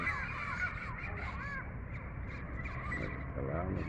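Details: Two pairs of turquoise-fronted amazons (Amazona aestiva), wild birds, give harsh, squawking calls in short, rising-and-falling bursts as they leave, several within the first two seconds, while a man talks through them.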